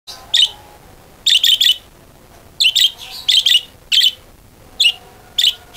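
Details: Budgerigar lure sound played to coax other budgerigars into lively singing: clusters of short, bright chirps in quick bursts of two to four, separated by brief pauses, over a quiet background.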